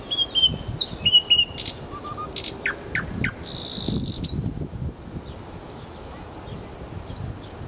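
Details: In Kuzminki forest park a nightingale sings short high whistles and slurred notes, sharp clicks and a brief buzzy rush, then falls silent over a background of soft rustling.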